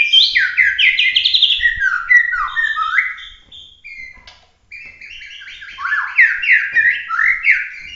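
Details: Genuine Bahorok white-rumped shama, a competition-class bird, in full emotional 'tembakan' burst song: rapid descending and rising whistled phrases stacked in quick succession, a brief pause near four seconds, then more sweeping slurred notes.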